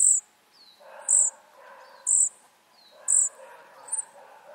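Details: Flycatcher nestlings giving high, piercing squeaks about once a second, mixed with lower, throaty chattering and short downward slurred notes.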